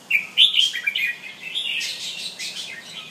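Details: Bulbul known locally as Jumbul or Penang bird, kept at home, giving a clear, tone-by-tone display song: bright whistled and chattering phrases with rising and falling notes, loudest in the first half.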